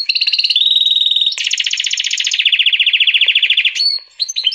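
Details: Caged canary and European goldfinch hybrid singing a loud, lively song: brief clear whistled notes, then a long rapid buzzy trill, ending in quick chirps and short sharp notes.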